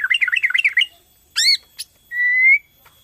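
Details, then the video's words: Borneo white-rumped shama in full song, used as a lure to stimulate other shamas to sing: a fast warbled run of looping notes, then a sharp rising slurred phrase, a brief click and a long level whistle. "PANCINGAN BORNEO GACOR SANGAT AMPUH UNTUK MERANGSANG BUNYI MURAI BATU LAIN"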